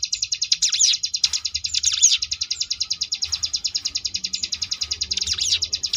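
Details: Sunda bush warbler performing ngebrem variation, a tutor song for competition birds: a continuous high rattling trill with looping, dipping phrases woven in at intervals.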